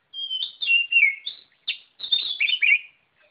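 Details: Oriental magpie-robin singing energetically, rich whistled phrases sliding downward, then a brief pause and a tumbling run of bright, rapid warbled notes.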